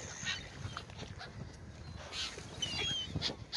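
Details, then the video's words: Seagulls feeding on bread on the Oder river at Frankfurt (Oder), Germany, give a scatter of sharp, yelping calls and thin squeals from several birds over a soft low background rumble. "seagulls are eating bread in the oder river"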